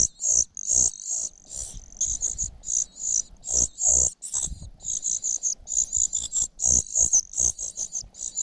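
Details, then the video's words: A cuckoo chick raised by a foster mother begs and fails to get food, then pecks her. Sharp, shrill, hissy cries come in quick, uneven bursts, some runs nearly continuous, over faint scuffling and low knocks. "Cuckoo bird can't grab food, attacking mother bird寄生的杜鹃鸟屡次抢不到食物，气急败坏，对着养母一顿啄"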